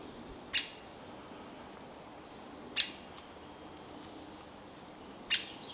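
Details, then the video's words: Fledgling great spotted woodpecker calling while clumsily hopping about a pine trunk: three loud, abrupt, high-pitched 'kik' notes spaced roughly two to two and a half seconds apart, quiet between. "Птенец-слёток большого пёстрого дятла (лат. Dendrocopos major) неуклюже скачет по сосне и кричит"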